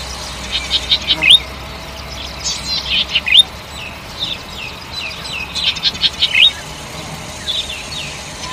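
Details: Golden-headed cisticola giving repeated phrases of clustered buzzy high notes, each phrase closing with bright rising slurred notes, the pattern recurring about every two seconds over faint background hiss.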